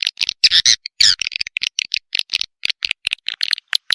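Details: Swiftlet chicks calling, used as a lure: squeaky, nasal chirps and short buzzy rasps tumble out in uneven bursts, a few louder whining notes standing out early on.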